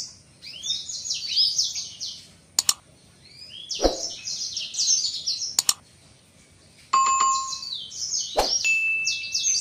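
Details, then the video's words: A seven-month-old male blacksang whose voice has not yet fully developed sings rapid, high twittering phrases in bursts of about two seconds, with sharp knocks and bell-like tones, opening its wings on seeing a female. "Blacksang gacor buka sayap"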